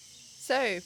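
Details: In the Australian bush near a barn, later in the day, a young kookaburra gives a single brief, wavering squawk, rich in harmonics and bending up and down in pitch, over a quiet background.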